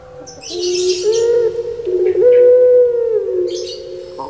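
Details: Puter pelung, a Barbary dove kept in Java, Indonesia, and said to sound like a person crying, sings a loud drawn-out moaning coo with a rolling middle section, over steady background hiss and brief rustles.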